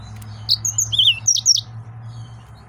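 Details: A short, bright phrase from an excited male yellow-fronted canary: a handful of high whistled and warbled notes, rising and falling quickly, then quiet with faint hum.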